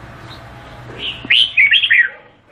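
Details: Red-whiskered bulbul of the Vietnamese type. A soft lead-in note is followed by a crisp phrase of four or five liquid, warbling whistles.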